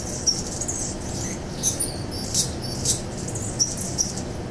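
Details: Mature male Anna's hummingbird defending his territory in August 2009. His song holds two extra squeaky notes. Sparse, high, scratchy squeaks and buzzes come in brief clusters against low background rumble.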